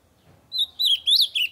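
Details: Loud ultramarine grosbeak song meant to get other birds singing: three bright whistled notes after a brief silence, the middle one swooping upward, the last falling away.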